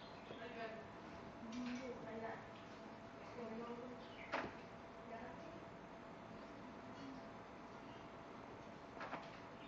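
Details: Spotted dove (Spilopelia chinensis) gives soft, low coos in short repeated phrases, faint against a steady background hiss, with a couple of sharp knocks.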